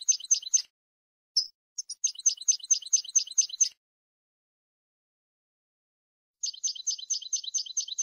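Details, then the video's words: European goldfinch song used to train birds for song contests: fast series of repeated bright chirped notes in runs, a pause of nearly three seconds, then another rapid repeated run. "Canto del Jilguero 5 horas para educación de concurso"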